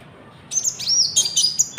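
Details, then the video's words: Konin lure song for trapping and for training caged birds: a rapid, jumbled run of very high, twisting chirps and whistles, ending in a sharp burst. "PANCINGAN GACOR BURUNG KONIN ISIAN JANGKRIK , AMPUH BUAT PIKAT & MASTERAN"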